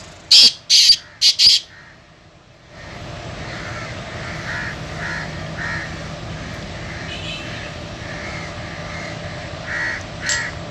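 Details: A small caged Sindhi latto partridge calling from under a cot on a very windy day gives three loud, harsh, grating notes in quick succession, then falls quiet against background hiss with faint distant chirps.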